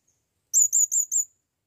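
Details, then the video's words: Blue-crowned hanging parrot, brought to the forest for the first time, calling to a female: four very high, thin, sharp notes in a quick run lasting under a second, otherwise silent. "Serindit memaggil BETINA"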